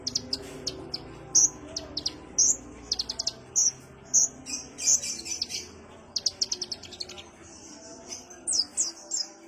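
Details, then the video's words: A sunbird named kolibri ninja calling as a lure: sharp high chips, short upslurred whistles and a brief rapid chatter near the middle, at a relaxed pace. "pancingan konin suara santai"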